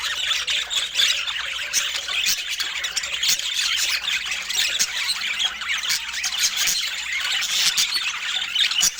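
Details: Budgerigars kept as pets, several birds calling at once in a constant bright wash of squeaky chirps and short squawks, with scattered clicks.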